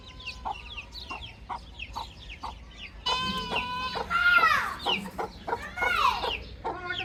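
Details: Baby chicks peeping: short, high repeated chirps, then louder, fuller calls with rich harmonics that rise and fall, a few drawn-out, over a quieter low hum.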